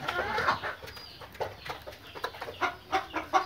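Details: Pakistani Fayoumi hens, a breed laying eggs every day, making a drawn, wavering squawk followed by a quickening series of short, choppy clucks.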